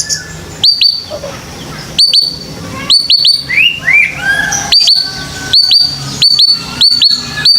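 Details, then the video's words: White-rumped shama lure song for young birds: crisp high clicking notes in quick pairs, repeated every second or so, with a few soft rising whistles between them over a quiet hiss. "TERAPI MURAI PASTOL: Suara Pancingan Khusus Burung Muda Agar Berani Bunyi"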